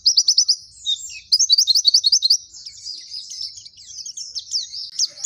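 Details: Dakun Pacitan white-eye singing in the nembak style with mantenan and zipper witwit phrases: rapid, very high, thin twittering with quick runs of rising slurred notes in bursts, continuous throughout, no other sounds.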